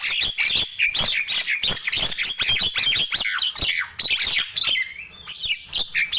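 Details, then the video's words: Nias hill myna singing busily in the morning: a dense, nonstop stream of loud whistles, squawky notes and sharp chirps, overlapping and rapid, with brief gaps between bursts. "Ramainya Kicau Jalak Nias di Pagi Hari"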